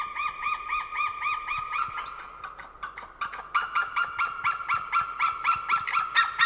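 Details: At an Estonian winter feeding site, ringed white-tailed eagles perched in a tree give rapid yelping call series, one voice overlapping another, with notes steady then speeding and rising slightly in pitch, in January.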